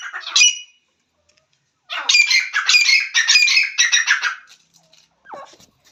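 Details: Partridge (teetar) calling: a short harsh note, a pause, then a rapid burst of loud, grating, rasping notes over about two and a half seconds, ending in a faint lower squeal.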